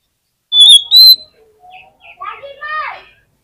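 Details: Oriental magpie-robin fighting song meant to provoke rivals: two loud, pure whistled notes held briefly, followed by a quiet run of lower warbled and slurred phrases trailing off.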